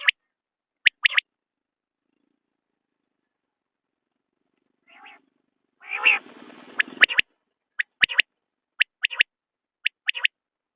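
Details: Common quail giving clipped, high three-note calls. Several seconds of silence come first, then a loud grating buzz, and after it the quick triple notes return at steady intervals.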